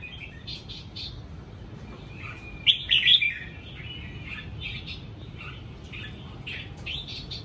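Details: Red-whiskered bulbul kept at home in a rustic setting, giving short bright warbled whistles, with a louder burst of chattering notes near the middle, over a steady low background rumble.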